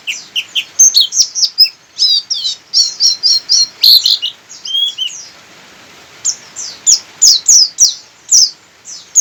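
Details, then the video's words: Local buxtoni Javan white-eye from Sukabumi in persistent open-beak singing, delivering bursts of fast, high, thin chirps and trills. A short quiet gap comes midway, then a run of sharp, spaced notes resumes. "Burung pleci buka paruh ngotot"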